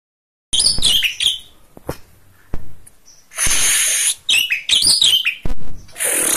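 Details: Oriental magpie-robin singing vigorously: a varied string of high whistled slurs and sharp chips mixed with several loud, harsh, broad rasping bursts, separated by brief pauses and occasional single clicks.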